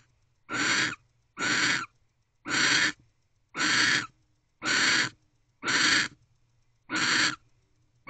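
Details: Barn owl keeping watch at its nest box door in the early hours of 31 December 2023; eight loud, rough hissing bursts, each around half a second long, with brief silent gaps between them.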